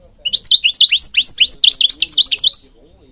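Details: Goldfinch singing, a songbird breeding across Morocco: one continuous, lively run of rapid high twittering and slurred notes lasting over two seconds, then silence.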